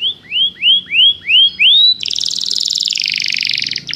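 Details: Canary in song training calling a companion: five upward-sliding whistled notes about every third of a second, followed by a dense, fast buzzy trill.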